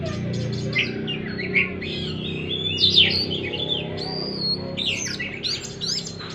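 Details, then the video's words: Oriental magpie-robin song used to stimulate a stressed bird that has stopped singing; varied whistles and rapid chirped phrases in short bursts over a steady low hum. "pancingan kacer stres macet bunyi"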